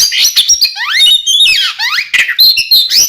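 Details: Oriental magpie-robin (kacer) song in the clear, open 'ngeplong' style, said to be from twin birds, used as a lure to get caged birds singing: loud, rapid, varied whistles with sweeping rising and falling notes and bright high trills, almost continuous.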